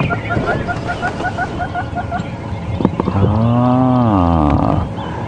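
Orange-breasted Bushshrike giving a quick run of soft, evenly pitched whistled notes, about three a second, over wind and engine hum before a person starts talking.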